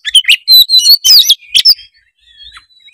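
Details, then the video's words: Lure song of an oriental magpie-robin, full of fill-in phrases to stir a lazy bird to sing: loud, quick run of sweet whistles and rasping notes, trailing off into a thin, faint whistle. "kacer gacor full isian memancing kacer malas bunyi menjadi gacor"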